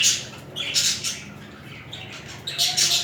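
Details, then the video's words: Courting budgerigar pair during mating, giving loud, rasping squawks at the start and end, with a softer, buzzy chirp between them. "تزاوج طيور الحب البادجي و حركات رومنسية بين الطائرين"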